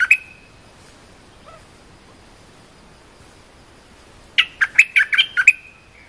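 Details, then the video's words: Cream-vented bulbul song meant to teach young birds: a pair of opening chirps, a long quiet gap, then a rapid cheerful burst of about seven liquid, bouncing notes. "เสียงนกดอกแตงEp.173 เพลงหัดลูกเสอ/ลูกใบ้ เพลงสั้นๆน่าฟัง Suara pikat merbah lekir gacor"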